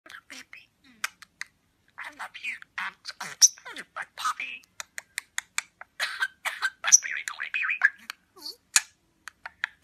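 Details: A budgerigar talking in English chatters in fast, raspy bursts, mimicking human speech with clicks and squeaky syllables; the phrase "I love you so much, baby" is heard right after.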